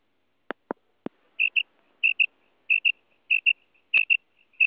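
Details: Female quail calling, a sound used in quail hunting: high, short notes given in tight pairs, each pair about two-thirds of a second apart, preceded by three sharp clicks, with another click midway.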